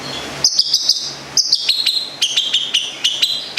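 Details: A local long-tailed shrike of Gedong Songo, Central Java, gives a quick series of high sharp chirps, each sliding slightly downward, stepping lower in pitch as the run continues.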